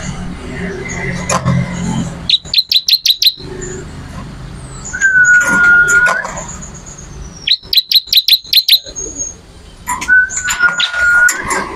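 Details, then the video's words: Lively bar-winged prinia song for tutoring songbirds: two quick runs of sharp, high chipping notes, each about a second long. Long, flat, pure whistles and low background noise sound between the runs. "MASTERAN BURUNG MATERI CIBLEK ORIGINAL GACOR"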